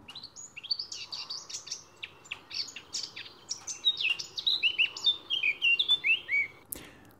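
A Eurasian Blackcap sings a fast, scratchy warble that breaks into a run of loud, clear fluting whistles over the last few seconds.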